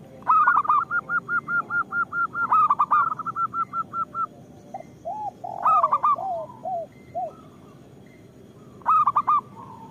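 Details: Lure song of a local zebra dove, meant to get quiet zebra doves calling: a long even string of about fifteen rapid coos, then stuttering bursts and lower arched notes, with the bursts returning every few seconds.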